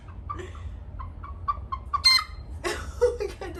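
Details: A 6-week-old Olive Egger cockerel learning to crow; a string of soft, short hiccup-like notes about every quarter second, then a brief rough attempt, with a person speaking afterward.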